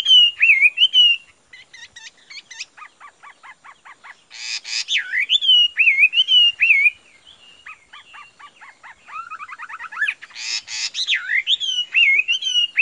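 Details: Caged Chinese hwamei singing a varied medley: looping slurred whistles rising and falling, runs of rapid clicking notes, two harsh raspy bursts, and a quickening trill of ascending notes before more fluid whistled phrases.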